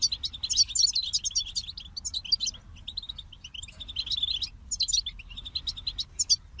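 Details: High, liquid goldfinch song made of quick chattering notes mixed with bright buzzy trills, arranged in uneven bursts with short quiet breaks.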